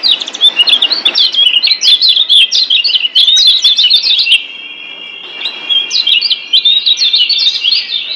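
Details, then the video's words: Master song of the Lombok kecial kuning, a white-eye kept as a cage bird, meant to get quiet birds singing. Rapid, high chirping phrases pour out for four seconds, pause with a faint steady tone, then resume twittering. "Masteran Kecial Kuning Ampuh Bikin Kecial DIAM Malas Bunyi Jadi NYAUT GACORRR"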